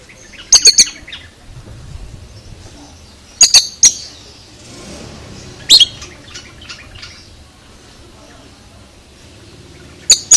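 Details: Oriental magpie-robin giving a surprising, strange sound: short bursts of two or three loud harsh notes every two to three seconds, with quiet chatter in between.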